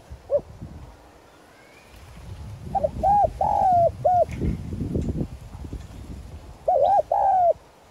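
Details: Decoy spotted dove, 'giọng son' voice, calling to entice wild doves. A lone soft note, then a phrase of short hoots, a long slurred coo and clipped coos, some low rustling, and a second phrase starting near the end.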